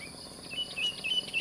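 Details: Sooty-headed bulbul singing lively in the morning in a rural mountain village at sunrise: a quick run of clear whistled notes, slightly rising and falling, over a steady high insect drone.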